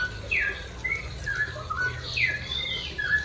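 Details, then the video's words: Morning 'ropel' song of a straw-headed bulbul, used for teaching pet birds: softer, slightly echoing whistled notes with quick upward and downward slides, spaced by short gaps over a faint low hum. "ocehan cucakrowo ropel di pagi hari"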